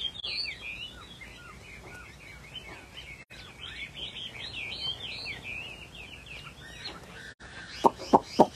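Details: Chinese hwamei, a rare pale bông mơ bạc tạng variety kept in a cage, pouring out a long, varied song of tumbling whistles and slurred trills. Several sharp clicking knocks near the end.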